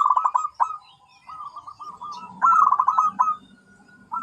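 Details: Zebra dove with a bubbling series of pulsed coos and longer wavering notes, over a faint low buzzing hum in the background.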